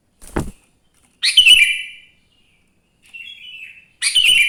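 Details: Morning song of a sooty-headed bulbul meant to set other bulbuls singing: a thump, then a loud bubbly whistled phrase, a softer quavering note, and another bright phrase.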